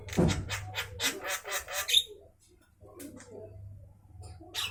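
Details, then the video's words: Javan myna singing at midday: a rapid run of about ten harsh, rasping broadband notes over two seconds, then a pause and softer scratchy chatter with a low hum underneath. "suara asli Burung jalak kerbau Siang Hari"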